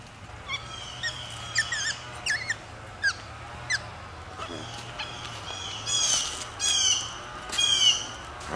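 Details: Blue Jays on a wooded nature trail give harsh, squawking jay calls, short and repeated about once a second, growing louder and rougher near the end over a low outdoor hum.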